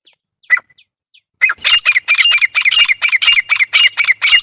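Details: A pair of grey francolins (Francolinus pondicerianus) calling: after a few short notes, loud, harsh, ringing high-pitched shrieking notes repeat rapidly, about two per second.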